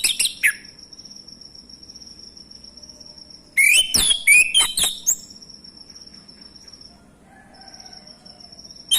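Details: Male orange-headed thrush singing as a lure to prompt other thrushes: a brief note at the start, then a loud jumble of whistled and chirping phrases midway, with a thin constant high tone underneath.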